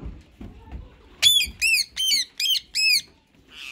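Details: White male and green ringneck parakeets: quiet low murmuring, then five loud, harsh squawks in a quick, fairly even series, followed by a soft chattered note.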